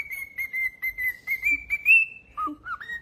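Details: A pet cockatiel sings one long, steady whistle that rises slightly near its end, then adds a few short lower notes, with faint clicking behind it.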